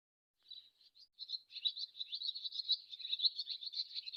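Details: Swallow twittering in a continuous stream of fast, scratchy chirps, starting with a few sparse notes and then running densely without a break, with no other sounds heard.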